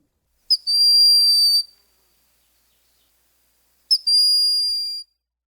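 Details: Broad-winged hawk (Buteo platypterus) giving its plaintive whistling call, a summer bird of the woods: two high, thin, drawn-out whistles, each starting with a brief sharp note and lasting about a second, spaced three seconds apart.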